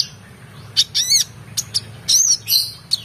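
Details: Oriental magpie-robin giving an excited song full of filler phrases, used to train competition birds: loud wavering whistles, arched slurred notes and harsh bursts follow one another quickly, with a low steady hum behind.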